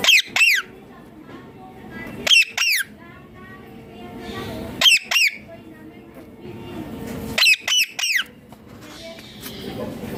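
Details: Indian ringneck parakeet calling indoors; loud harsh screeching double squawks, sharply rising then falling, given in pairs about every two and a half seconds, with faint room noise between.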